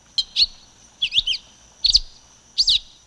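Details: Silver-beaked tanager giving bright, high, clipped notes in short clusters, one a rapid stuttered trill, about every three-quarters of a second.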